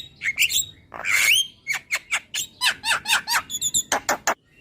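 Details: Javan myna singing, meant as a training recording to make a bird sing more: harsh rasping notes and a long grating burst, then a rapid run of clipped, scratchy chattering notes.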